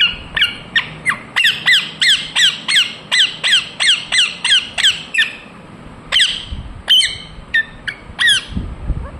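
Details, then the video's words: Indian ringneck parakeet repeating a shrill, falling squawk-chirp in a steady rapid series, about three per second, then a few spaced calls afterwards. "Parrot Chirping sounds Natural Sound | Ringneck parrot Naturals Sound"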